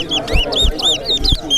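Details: Large-billed seed-finch, called towa towa, singing in a Corriverton bird competition: arched whistled notes in a quick series, with low voices and thumps from the crowd beneath.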